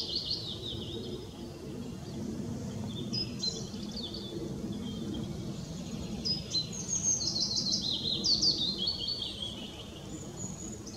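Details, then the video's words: Willow warbler singing at Hindekamp on 4 May 2017: soft, high, sweet whistled phrases that drift downward, repeated every few seconds, heard against a steady low rumble like wind or distant traffic. "Zingende fitis"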